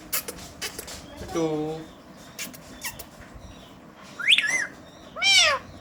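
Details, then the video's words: Indian green ringneck parakeets, a pet family talking in a mirror and known to mimic cat voices: a nasal speech-like call, scattered clicks, then a sharp rising whistled squawk and a final loud meow-like cry. "Talking Ringnecks Family Together // Parrots Talking In Mirror"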